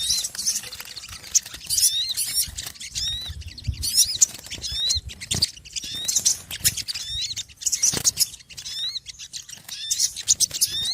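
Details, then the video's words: Noisy small birds chattering together: clusters of high, bright chirps and short upward-flicking notes come in bursts, separated by brief quieter gaps, with faint low rustling underneath. "Suara Burung Kecil Ribut"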